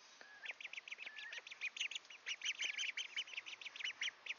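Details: Ducklings approaching and pecking at a camera in Sainte-Adèle, Quebec, Canada, on a partly cloudy July 7, 2023 evening around 6 PM at 25°C, peeping constantly in high, short, slightly rising notes, several birds overlapping, quiet and close.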